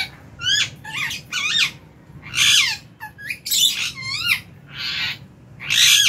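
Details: Lovebirds feeding together in an aviary in January; repeated shrill chirps with sharply bending, squeaky notes, delivered in quick clusters about every half second, alongside noisier raspy squawks.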